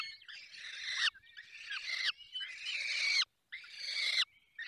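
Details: Falcons at a nest in the Barycz Valley, Poland, during feeding: four harsh, rasping screeches, each about a second long with brief pauses between, then a thin short whistle at the end.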